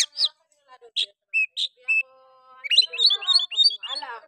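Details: Oriental magpie-robin delivering rough 'nembak' song as a lure to arouse other magpie-robins. Separate sharp chirps and short whistles lead into a fast, dense, warbling burst of high, varied notes. A faint steady low hum runs in the middle.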